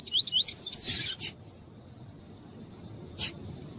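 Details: Female double-collared seedeater calling to warm up a male: a quick run of thin, high upslurred whistles, then two harsh chips, the last after a long pause.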